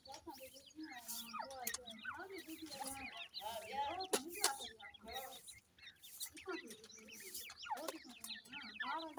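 Black francolin chicks cheep constantly, with overlapping thin rising and falling peeps, several a second, and a few soft clucks. A human voice is heard faintly underneath.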